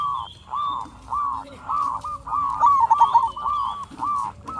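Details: Local zebra doves singing as a lure to provoke answers; several overlapping cooing phrases blur into continuous wavering notes with one rapid trill in the middle, a faint high whistle and light background noise.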